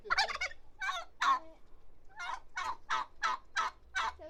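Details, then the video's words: A turkey lets out a quick throaty burst, falls silent for a moment, then gives a string of about six harsh, evenly spaced notes. "Turkey Sound"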